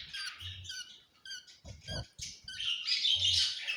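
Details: Budgerigar chicks at hatching give quick high chirps and squeaky notes in short bursts, with soft low bumps and handling noises in between.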